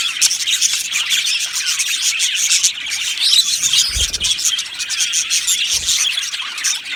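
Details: Budgerigars in an aviary colony, singing and chirping in a thick continuous twitter of high warbled and chirped notes, with two dull low thumps partway through.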